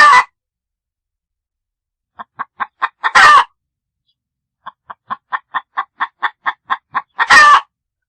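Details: Short rhythmic chicken clucks in two separate runs, each speeding up slightly, set between three loud, rasping bursts at the start, middle and end.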